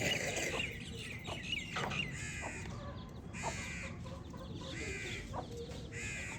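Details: Baby chicks chirping: a run of short, harsh, harmonic calls, several birds overlapping, repeating roughly once a second with brief gaps, over a steady low background hiss.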